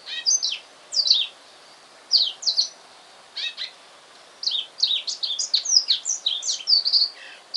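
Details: Caged black-throated canary, a male bought that afternoon, singing at home: short clusters of sharp high twitters and slurred whistles, gaps between, ending in a longer busy twittering run.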